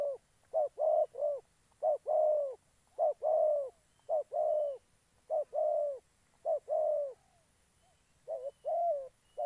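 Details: Decoy spotted dove in Gia Lai, Vietnam, for trapping wild birds: repeated phrases of two short coos and a longer falling coo, delivered rapidly and continuously through the recording, quiet background.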